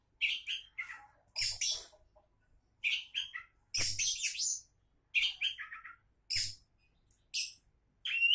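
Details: Energetic Oriental magpie-robin song from a contest-hopeful bird, loud harsh chattering bursts alternating with sweet whistled notes and short trills, delivered in phrases about a second apart.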